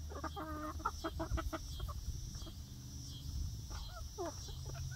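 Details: Flock of young egg-laying hens in a new outdoor backyard run on their first day, giving rapid clucks and rising chirpy calls in quick bursts, with high insect-like hiss and low hum behind.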